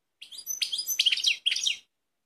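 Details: European goldfinch of the Balkan form recorded in Kumanovo, Macedonia, on 16 March 2018, giving a short burst of bright, twittering song phrases in three quick bursts with tinkling, buzzy notes, no other sounds.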